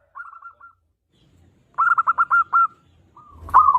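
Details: Singing local zebra dove: a faint trilled coo, a pause, then a louder rapid stuttering phrase of about six notes, followed by another short coo with a low thud.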